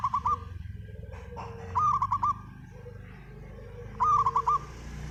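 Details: Spotted dove lure call: three bursts of rapid, quavering cooing phrases about every two seconds, each stuttered and slightly rising, with softer low coos between and a low rumbling background.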